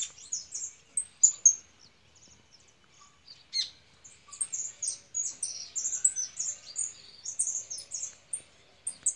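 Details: Angry female European goldfinch: scattered high chirps, then a rising stream of quick, bright twittering notes that grows denser toward the end.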